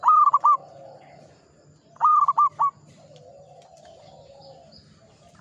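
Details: A local Zebra dove sings in the Ngepat Mataram style, giving two short bursts of three or four clipped, bright coo notes about two seconds apart. Quieter, lower dove coos murmur in between.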